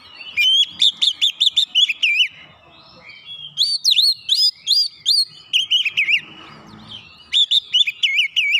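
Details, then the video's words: 'Nembak rapat' therapy song of an Oriental magpie-robin (kacer): three dense bursts of rapid, rolling whistled notes at steady pitch, each burst around two seconds long, with faint murmuring in the quieter gaps. "terapi masteran Kacer nembak rapat"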